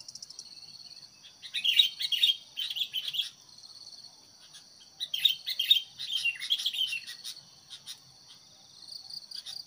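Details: Sooty-headed bulbul working as a fighting decoy for wild birds, calling in two lively bursts of rapid, bright chirps a few seconds apart, with insects droning steadily behind.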